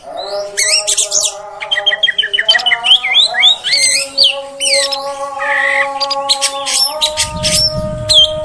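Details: Female oriental magpie-robin, whose voice is used to make males emotional: dense, rapid chatter of whistles and harsh squawky notes over a steady droning hum, with a low rumble near the end.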